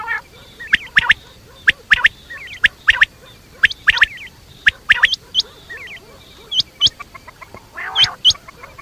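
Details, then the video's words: At night, quail (batair) give sharp snapping notes with wavering trills. Later come upward-hooked whistles in pairs and a rough squawk, all irregular but steady throughout. "batair rat wali awaz"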